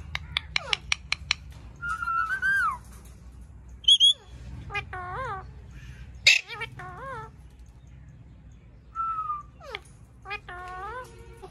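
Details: Pet Indian ringneck parrot, also called Kashmiri Raw parrot, giving varied calls: a quick series of sharp clicks, then separate wavering whistles and nasal notes that rise and fall, with short pauses between them.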